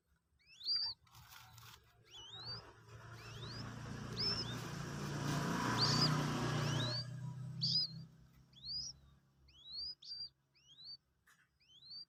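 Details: Common Moorhen chick, two days old, learning to eat pellet feed: repeated high, rising peeps, masked midway by a broad rushing noise, then resuming at about two per second.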